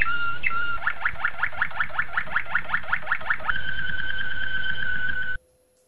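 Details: Malinois Waterslager canary song used to train young canaries, opening with a short whistle, then a series of rapid rising chirped notes about six per second, settling into a long steady rolling tone that cuts off abruptly.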